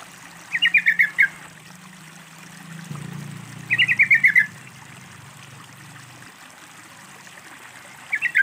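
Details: Sooty-headed bulbul song used with trickling water as therapy to coax a quiet bird into singing: short phrases of six or seven rapid bubbly notes repeated about every three and a half seconds, water gurgling underneath.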